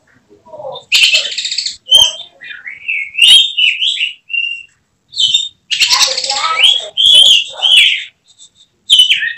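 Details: Oriental magpie-robin (kacer) in a cage, a prospect for singing competitions, in 'tembakan' mode: gliding whistles rising and falling, separated by sudden loud buzzy bursts and clicks, delivered in rapid, varied phrases.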